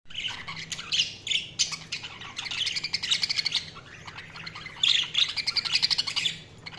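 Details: Budgerigars chirping in a dense, overlapping chatter of high, scratchy twitters and warbles, coming in loud bursts around one, three and five seconds with quieter stretches between, over a faint steady low hum.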